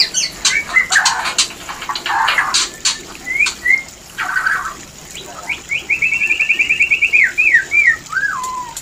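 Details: White-rumped shama mating call meant to trigger breeding condition; sharp clicks and short notes, then a fast rhythmic series of repeated whistled notes ending in clear downward slurred whistles.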